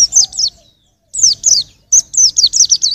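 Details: High, sweet white-eye twittering for training songbirds, short phrases of falling slurred notes broken by a second-long gap, then a quicker run of chirps.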